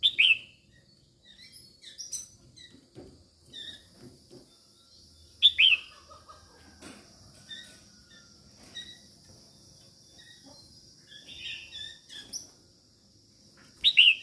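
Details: Female red-whiskered bulbul calling to stimulate males, loud sharp falling notes spaced several seconds apart, with many softer chips and thin whistles filling the gaps.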